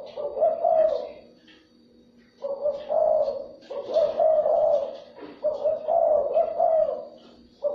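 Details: Spotted dove cooing, played to stimulate and lure wild doves: low, husky, rolling coo phrases repeated four times in quick succession, each lasting about a second and a half, separated by brief pauses, over a faint low background hum.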